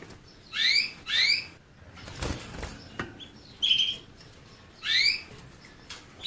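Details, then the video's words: Canary song of quick rising chirps in pairs, then a flat whistled note and another rising chirp, over light rustling and tapping noises. "Bird motivator sounds the basics of canary birds' singing"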